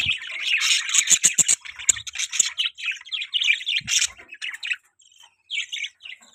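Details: Pet budgerigars chirping: a fast run of sharp, scratchy chirps and warbles, tightly repeated at first, then looser chatter with brief gaps and quieter chirps near the end.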